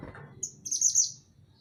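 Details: Mantenan gunung singing for songbird training: a very high, thin, sharp twittering phrase, loud and brief, rising into a bright sibilant trill, with faint low rumble underneath.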